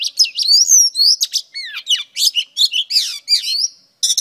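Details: Female Oriental Magpie Robin in full song: a rapid, jumbled medley of sweet whistles, down-slurred notes and scratchy buzzy elements, tumbling without pause before a short break and a final burst.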